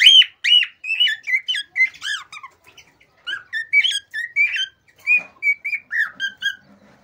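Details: Excited song of a male cockatiel, used to encourage mating: a busy stream of whistled and warbled notes that slide up and down, with short squeaky phrases and brief pauses between bursts.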